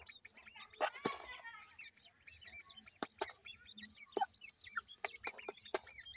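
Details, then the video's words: Grey francolin chicks being fed: a steady stream of thin, high, hooked peeping chirps, rising then falling, with a few sharp tapping clicks and one short harsh burst near the start. "grey francolin chicks nice voice"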